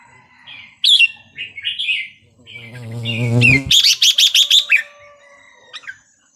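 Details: Red-whiskered bulbul in Burmese song style, played to tutor young birds and stimulate others. Lively warbles, then a rapid run of about seven sharp repeated notes, with a low rumbling sound just before.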